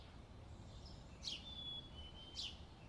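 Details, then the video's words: A chickadee at Nemours Gardens, Wilmington, Delaware, gives two short, high whistled notes about a second apart, heard by a viewer as "hey sweetie", faint against steady outdoor background hum. "the chickadee saying "hey sweetie""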